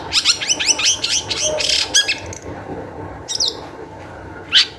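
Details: Long-tailed shrike used to provoke other shrikes into song: a dense rush of fast, harsh chattering notes for two seconds, then near silence broken by a falling squeal and a single sharp note.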